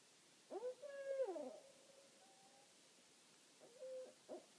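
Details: At night in a meadow with two owls calling to each other from a branch and a spruce top, an owl gives a drawn-out, wavering tonal call sliding downward, then a short clipped call about three seconds later.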